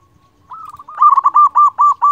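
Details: Loud local zebra dove singing, aimed at coaxing lazy doves to call: a quiet lead-in note, then a fast rolling series of trilled coo pulses that grows steadily louder.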